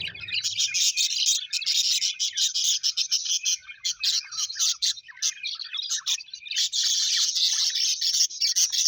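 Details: Happy pet budgerigars, colourful Australian budgies, in loud group chatter: a dense, hissy stream of warbled chirps and rapid clicking notes, continuous with short dips, nothing else audible.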